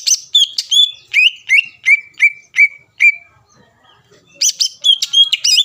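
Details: Rival-provoking song of a greater green leafbird: a steady series of about ten clear whistled notes, each a short upward flick ending in a level tone, a brief pause, then a hurried burst of higher twittering notes.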